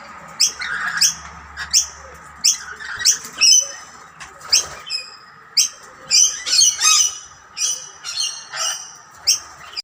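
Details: Rainbow lorikeets squabbling over food while a dominant male drives other birds away; sharp, piercing screeches repeated irregularly about every half second to second, over a steady background hum.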